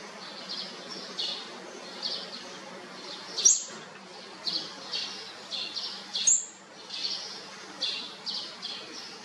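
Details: Olive-backed sunbird chicks of a fourth brood during feeding, giving high squeaky chirps in short clustered bursts, about twenty a minute, with two sharp clicks and a low background hum.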